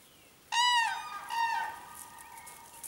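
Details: Cranes confronting a dog on 21 April 2015: a loud, ringing, strongly harmonic trumpeted call, then a second, softer, drawn-out note fading over a quiet outdoor background.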